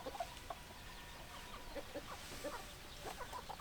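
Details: Chickens clucking: scattered short, low clucks from several hens spread irregularly through the moment, fairly quiet against a steady background hiss.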